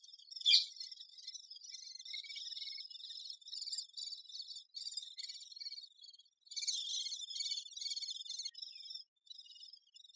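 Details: Great spotted woodpecker busy with its young: one sharp, loud note at the start, then long stretches of dense, high buzzy chattering broken by brief pauses.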